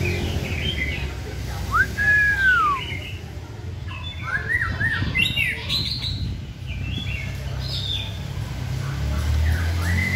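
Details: White-rumped shama during singing practice: a clear arched whistle early on, then scattered short whistled and chirped notes, set against strong low-pitched background noise.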